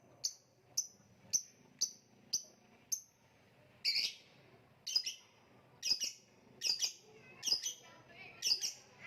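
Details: Indonesian contest lovebird giving a steady series of clear, high chirps about twice a second, then switching to harsher, broader double notes repeated at a slower, uneven pace.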